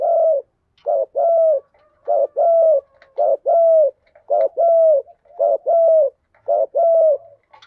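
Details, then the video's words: Spotted dove kept as a lure bird, cooing in the thúc gù style to draw in wild doves. It gives steady paired coos, a short note then a longer mellow one, repeated about once a second with clean silence between. "tiếng chim cu gáy kích bổi nhanh nổi"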